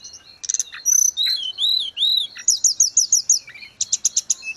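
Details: Grey-cheeked bulbul in vigorous song for tutoring cage birds: drawn-out arched whistles, then a rhythmic run of quick high chirps repeated about three times a second, closing with sharp notes.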